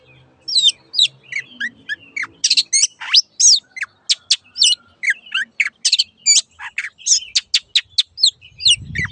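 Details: Long-tailed shrike master recording for caged birds: a lively varied series of sharp down-slurred whistles, harsh chips and quick trills, constantly changing, with a low thump at the close.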